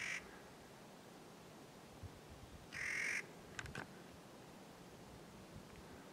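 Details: A Clark's nutcracker (Nucifraga columbiana) gives two harsh, grating, drawn-out kraaa calls about three seconds apart, with a few faint clicks and steady background hiss.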